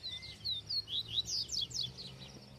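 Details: A kept yellow-bellied seedeater (papa-capim) of the rare "viviti" song type, in Arapiraca, Alagoas, sings a quick run of about ten high, sweet slurred whistles in under three seconds over a faint hum; its owner says it sounds soft and not at 100%.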